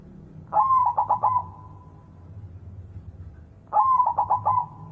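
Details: Two low, gentle coo phrases from a white zebra dove at morning, about three seconds apart; each starts with a brief drawn note and tumbles into a rapid train of four soft pulses, with low background noise.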